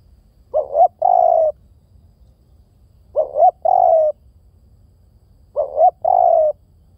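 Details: Spotted dove calling in clear low coos: each phrase a short rising double note followed by a longer steady coo, repeated about every two and a half seconds, three phrases, quiet background.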